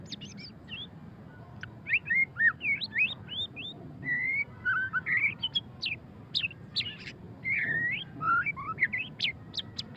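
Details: White-rumped shama, murai batu pastol, singing in ngeriwik style: a busy run of sharp whistled notes and quick slurred phrases, rising and falling, with loud bursts spread through the ten seconds over a low steady hum.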